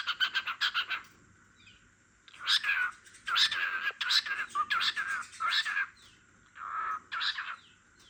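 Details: Cockatiel singing while a sleepy lovebird dozes nearby: bursts of harsh, buzzy chirped notes in quick clusters, separated by short pauses, with some softer rising whistles between.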